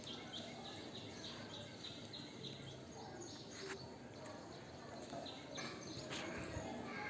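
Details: A male cockatiel, cleaning his cage, gives a run of short, bright chirps over steady background hiss and occasional clicks.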